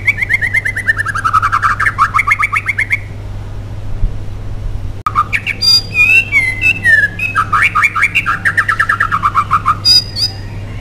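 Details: Persistent song of a white-rumped shama, offered as a lure to stir other shamas into song. Fast rolling whistled phrases, a brief pause, then gliding slurred whistles and more rapid runs, with a constant low hum behind.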